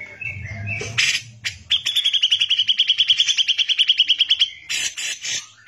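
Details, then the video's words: Grey-cheeked bulbul in full song for use as a tutor recording: a few harsh chirps lead into a long, fast, steady run of identical high chips, roughly three per second faster than counting allows, ending in scratchy notes. "CUCAK JENGGOT GACOR BISA BUAT MASTERAN"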